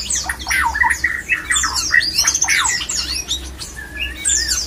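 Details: White-rumped shama male mating call, said to stir other shamas into breeding: jumbled rapid song mixing harsh squawky notes, swooping whistles and chatters, easing into a few longer clear whistles toward the end; low background hum.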